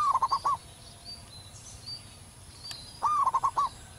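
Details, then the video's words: Local wild zebra dove singing perched, loud and prolific: two phrases, each opening with a rising note then a quick run of stuttering, slightly falling coos, about three seconds apart, with faint higher bird chirps behind. "perkutut lokal manggung gacor di alam liar suara besar"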